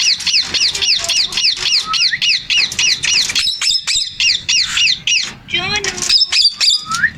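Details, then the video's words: Male Indian ringneck parakeet, noted as talking, produces a long fast run of piercing, down-slurred chirps at an even rhythm, about three or four per second, ending with squeaky warbles and a rising whistle. "MALE INDIAN RINGNECK TALKING"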